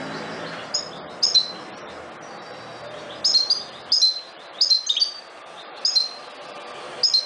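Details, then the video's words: European goldfinch of the subspecies parva, a protected wild bird, singing bright high tinkling twittering phrases in short bursts, with faint steady background noise. "Jilguero campero (Carduelis carduelis) - Canto"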